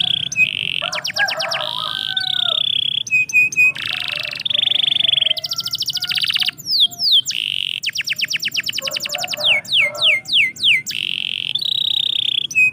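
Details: Morning canary song, varied and continuous: high buzzy rolled tours alternate with fast trills of descending whistled sweeps and sharp chirps, phrases shifting every second or two with barely a pause.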